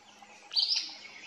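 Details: An Acadian flycatcher gives one sharp, high, explosive two-part call of about a third of a second against a quiet background; Waterloo State Recreation Area, Jackson County, Michigan, 13 May 2023.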